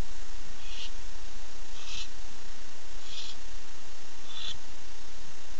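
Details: Four soft, raspy hisses roughly a second apart from a male barn owl calling to his mate at 9:54 pm, 8 September 2015, heard over a constant low-pitched hum.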